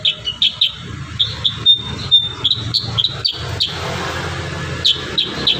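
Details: Kurincang singing lively with varied fill, recorded for training other birds: high chirped notes and a brief steady whistle in quick bursts, then a pause and a final trio of sharp chirps, over a low steady hum.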